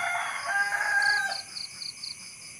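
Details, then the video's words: Rooster crowing while walking calmly but carefully: one rough, harmonic crow of just over a second that holds its pitch and breaks off. Afterwards come rhythmic high chirps and a steady high-pitched tonal hum. "the sound of a rooster"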